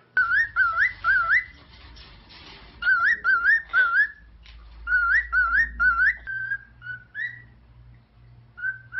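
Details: Male cockatiel, nine years old, kept as a pet indoors, whistling clear rising two-note phrases in quick bursts of three or four, pausing between bursts, then several shorter flat whistles near the end; a low hum underneath.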